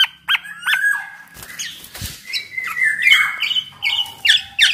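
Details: Black-naped oriole singing actively, used to prompt other orioles to sing: short fluty whistles, some gliding and some held level, mixed with rasping nasal notes, then a run of rising whistled phrases near the end.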